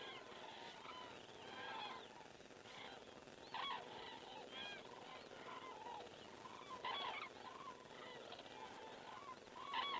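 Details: Common cranes flying over in Estonia on 19 September 2017 at 19:10, recorded by a crane camera: many overlapping trumpeting, harmonic calls from a flock, rolling and bugling in irregular bursts, with a steady background hiss.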